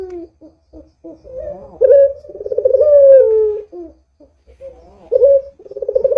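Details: Barbary dove calling as a lure for other doves: soft short notes leading into a long, swelling, rolling coo that falls in pitch, then a shorter coo, with low background hum.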